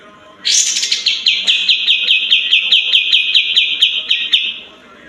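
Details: White-eared bulbul song used as a lure to prompt other birds to sing: a rapid series of bright, sharp chirps repeated over four seconds, roughly two to three per second, with a faint murmur behind.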